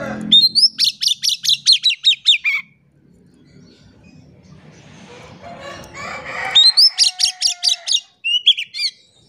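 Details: Oriental magpie-robin lure song used to prompt quiet birds to sing: two bursts of rapid, high, sharp whistled strokes, each starting with a rising whistle and repeated about five times per second, with quieter chatter in between.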